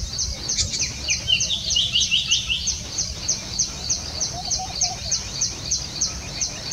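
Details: A pair of little green bee-eaters perched on a branch in Jhalana, looking around for prey, give thin, high chirps, about three a second, with a brief lower trilled phrase early on over faint background noise.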